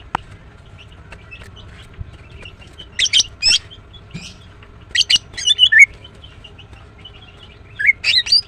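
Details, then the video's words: After a quiet start, a female greater green leafbird gives clusters of sharp chirps and short twittering, rising notes, in three separate bursts. "The female Green Cucak bird is chirping well"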